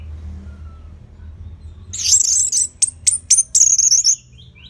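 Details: Anis merah (orange-headed thrush) in relaxed, steady song for training other birds. Near silence gives way to a dense, very high trilled passage broken by sharp clicking notes.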